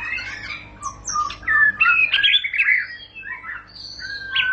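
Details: White-rumped shama singing ngerol panjang: dense, varied phrases of rich whistles, squeaky twists and slurs, steadily fast, easing into a few longer whistled notes at the end.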